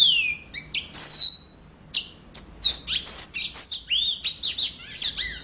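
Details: A long falling whistle opens this yellow-fronted canary song, followed by scattered chirps and then a quickening jumble of high twittering and slurred notes.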